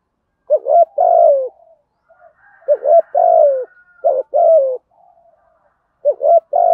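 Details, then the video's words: Spotted dove giving a cooing song, a lure voice meant to quickly draw wild doves in: mellow low coos in short bursts, a brief note followed by a longer drawn-out coo, repeated about four times with pauses, no other sounds. "Tiếng chim cu gáy thổ thúc gù + kích bổi rất nhanh nổi, giọng hợp bổi nhanh về cội"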